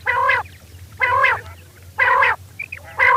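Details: Night calling from a female quail: harsh, nasal, harmonic notes repeated evenly about once a second, with a couple of faint short chips between them; low hum underneath.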